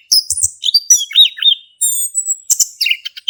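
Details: Orange-headed thrush male kept in a cage in Indonesia, ngeplong song used as a lure for silent birds; lively mix of warbled slurs and squeaky chirps, a level high whistle midway, then more chips.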